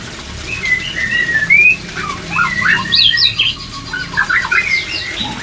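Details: White-rumped shama singing, meant to boost breeding drive: a long rising whistle early on, then jumbled sharp, high chips and scratchy notes, quick and irregular, with a brief quieter gap near the middle.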